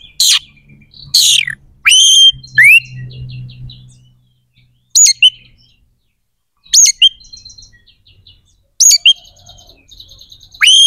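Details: Oriental magpie-robin in full, vigorous song, played to stir rivalry and breeding urge in other magpie-robins: piercing whistles that sweep downward, clipped chirps and ringing phrases repeated every couple of seconds, with a soft low rumble early on.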